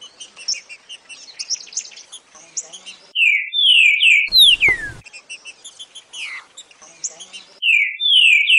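Green-winged saltator giving loud, rich whistled phrases of slurred notes, with bursts a second or two apart, over a busy background of high chirps from other small birds.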